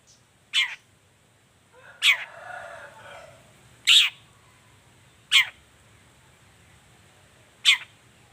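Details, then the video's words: Long-tailed shrike in the morning, a lure recording to make silent shrikes answer: five loud, harsh, rasping notes spaced irregularly about one to two seconds apart, with a brief softer scratchy rustle after the second note. "Suara cendet gacor Pagi Hari pancingan jitu BIKIN cendet diam langsung nyaut ikutan bunyi"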